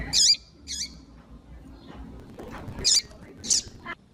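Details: A female double-collared seedeater calls to warm up males with two bright, high squeaky notes early and two more later, each with a falling tail, amid soft rustling background noise.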